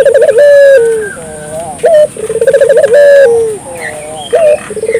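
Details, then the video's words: Spotted dove cooing loudly, a recording used to lure local doves into calling: rolling, bubbling low coos with drawn-out falling notes, against faint chirps of other small birds and a constant high hiss. "suara burung puter gacor,merangsang burung puter lokal ikut gacor"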